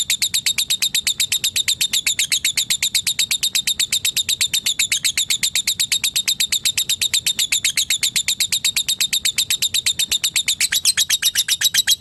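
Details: Long, unbroken lovebird trill used to call a rival, with sharp high notes ticking at an even fast pace for twelve seconds and a slight shift in tone near the end.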